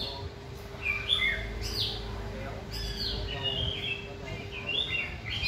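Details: Caged white-rumped shama in song training, hung on a pole near other birds: short sliding whistles and brief chattering notes spaced across the recording over a steady low background hum.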